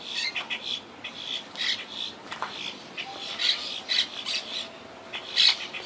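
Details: Wild Quaker parakeet colony, regrouping after hurricane Irma in 2017, calling from high in trees; harsh, grating squawks come in irregular bursts, some louder and closer, with a faint tonal background hum.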